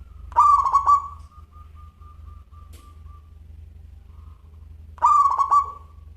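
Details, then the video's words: Local zebra dove singing in a clear crystal style. Two stuttering coo phrases about five seconds apart, each with a bright start, a quick trill and a fading tail, joined by a faint thin held tone over a low hum. "Perkutut Lokal Gacor Suara Kristal"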